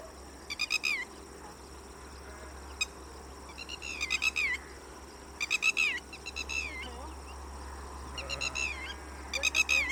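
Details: Red-wattled lapwing calling in bursts of four or five sharp, shrill, ringing notes, about five bursts across ten seconds, each burst slightly falling at its end, over a steady low hum.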